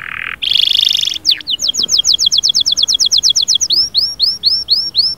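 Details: Canary in vigorous song: two steady buzzy tones open the phrase, followed by a rapid string of sharp rising chips and then slower, repeated high downward-arcing whistles, all clean against a quiet background.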